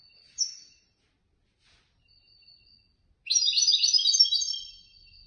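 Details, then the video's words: European goldfinch that took third place in a bird-song competition held by a Casablanca bird lovers' association; after a brief high note and near silence, a dense, rapid twittering phrase of bright tinkling notes runs for about two seconds. "الحسون الفائز بالرتبة الثالثة في المسابقة"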